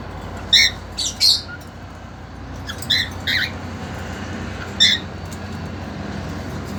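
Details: Caged male cockatiel seeking to mate with a young two-month-old female: a run of harsh squawks in quick pairs, a pause, then scattered single calls.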